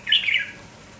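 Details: Red-whiskered bulbul, a lively village bird singing in the morning: a single short, bright chirping phrase that slurs downward, over a quiet room-like background.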